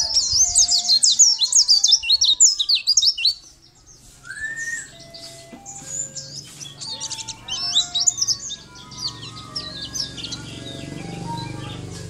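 A white-eye sings a fast, high, thin twittering of tumbling chirps and trills, nearly continuous with brief pauses, over a few faint lower tonal notes.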